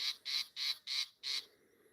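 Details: Southern fiscal (fiscal shrike) giving a fake alarm near mongooses, which ignore it, on 30 January 2026: five loud, harsh, grating rasps in quick succession, about three per second, high and scratchy, then falling silent.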